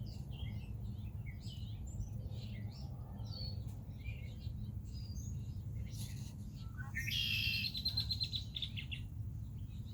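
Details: Red-winged blackbird at Rehoboth Beach, Delaware: a single loud, buzzy trill near the end, preceded by a busy mix of short chirps from other birds, all over a steady low rumble.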